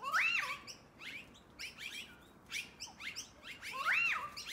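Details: Several noisy miners gathering before dark, giving harsh chattering calls with two loud arched whistled notes near the start and end, between bursts of raspy chirps from multiple birds.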